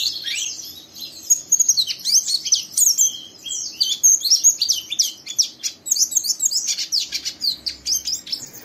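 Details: Captive young oriental white-eye in full song, chattering rough and fast to stimulate another white-eye to join in; dense stream of high, thin, scratchy twitters and short slurred whistles, nearly continuous with brief pauses.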